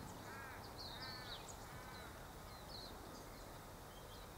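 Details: White-eared honeyeater (Nesoptilotis leucotis) visiting redbell kalanchoe to sip nectar, giving three harsh, scratchy calls about a second apart, with thin high chirps from other small birds and a steady background hiss.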